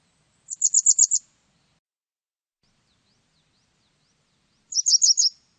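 Japanese wagtail giving two quick bursts of about six high, sharp chirps each, separated by roughly four seconds of silence.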